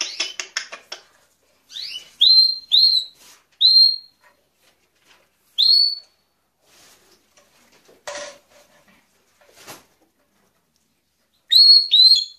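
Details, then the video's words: Grey parrot giving a quick burst of clicks, then clear high whistles repeated in short groups, separated by pauses, with a final pair of whistles at the end. "Jako Papağanı Sesi"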